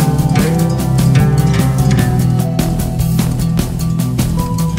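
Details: Loud rock music with driving guitar and drums fills the whole stretch; no bird or other animal is heard.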